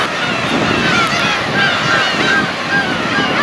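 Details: A huge flock of black-tailed gulls, with someone moving into its midst, calls at once in overlapping mewing, cat-like cries over a steady roar of wind or surf.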